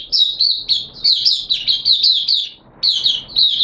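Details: Oriental white-eye from a bird hobbyist, singing its opening song on a wet-weather day in September 2022: loud, rapid, high-pitched twittering run, a short gap, then the chatter resumes.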